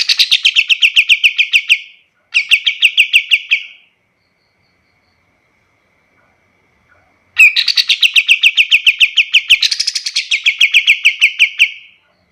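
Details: Master song of a pied triller for teaching other birds: two short trills of rapid notes, a silence of several seconds, then a loud long trill whose pitch jumps higher for a moment.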